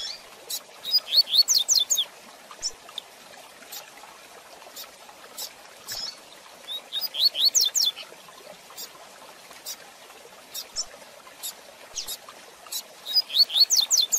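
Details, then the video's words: A double-collared seedeater repeats a quick, high, twittering phrase of sweet slurred notes every five to six seconds, with scattered sharp chips between phrases; a fast song used for training young birds. "Tui Tui Zel Zel de Fibra Canato Rápido"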